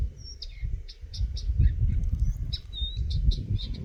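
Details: Eurasian nuthatch chirping: short, high, clipped notes scattered irregularly through the clip, a few with a quick downward slur, set against a heavy low rumble of background noise.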